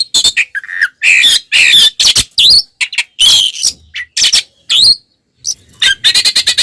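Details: Oriental magpie-robin in combative song with spread tail, meant to anger other magpie-robins; harsh, raspy squawking phrases mixed with sliding whistles, delivered in dense loud bursts with a short gap near the end.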